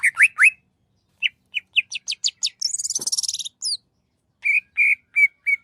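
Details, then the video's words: Greater green leafbird singing vigorous masteran song: sharp up-swept chirps, a rising series of quick whistles, a brief high buzzy trill, then spaced, clear, mid-pitched whistled notes, with a quiet background. "SUARA MASTERAN CUCAK IJO GACOR"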